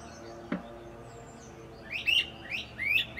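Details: Great crested flycatchers calling in forest treetops, their calls echoing; two rising, slightly burry whistled notes near the end, preceded by a single sharp click and steady low background hum.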